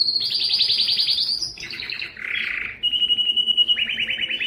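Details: Strong canary song for stimulating males to sing: fast high trill sliding upward, a lower buzzy roll, a harsh grating burst, then a steady whistled tone followed by pulsing trills.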